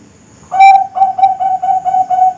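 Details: Young Bangkok-type zebra dove (perkutut Bangkok), a kept bird: one ringing, mellow coo followed by six short, clipped coos at the same steady pitch, evenly spaced, over quiet background hiss.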